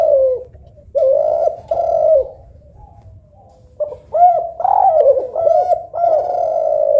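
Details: Spotted dove cooing, a local tekukur or a Kelantan derkuku, judged for softness and melody: a series of rounded, low, slightly bending coos in phrases with a short pause in the middle, plus faint low background noise.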